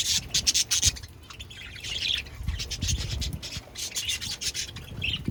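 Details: Pet budgies chirping, likely while eating: bursts of bright, scratchy chatter and short chirps in quick irregular runs, with low rustling and scraping sounds underneath.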